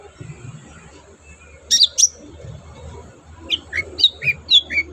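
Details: Long-tailed shrike singing in captivity, used as a lure to make other birds sing: two sharp high notes, then six descending chirps in quick sequence over a steady background hum.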